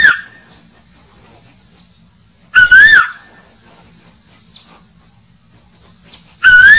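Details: Asian koel played as bait for slingshot hunters: loud, harmonic-rich swooping notes spaced roughly four seconds apart, with a thin high whine and quiet gaps between them.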